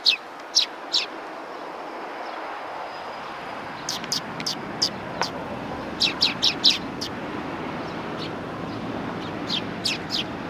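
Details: Sparrows greeting a visitor at a Tenmangu shrine on 18 September 2020, giving short high chirps in scattered bursts over steady background rumble.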